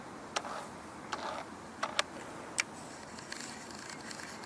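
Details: Irregular sharp mechanical clicks and ratcheting over a quiet background hiss, with no animal voice.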